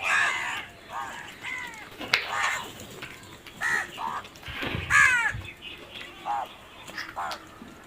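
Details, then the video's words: Several crows giving repeated harsh, nasal caws in uneven bursts across the clip, some overlapping, with scattered clicks and background noise. "Crow sounds"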